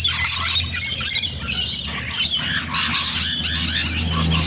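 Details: Rainbow lorikeets crowding together in Bonnyrigg give shrill, wavering screeches and squawks in a dense, chaotic chorus over a faint low hum.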